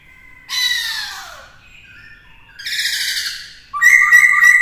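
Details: Black-throated laughingthrush (khướu bạc má) singing in a session for training a young bird. Two broad harsh, rasping bursts, one ending in a falling slur, then a loud run of bright, quickly repeated whistled notes.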